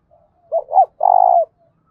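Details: Spotted dove delivering a ringing challenge call ('thúc bổi'): a brief faint lead-in, two quick curved notes, then a sustained, buzzy-edged coo that falls away, with no other sounds.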